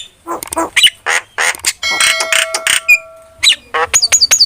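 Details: Starling singing as a training lure and master: noisy rasping chatter and squawks, a few thin level whistles, then rapid high looping chirps near the end.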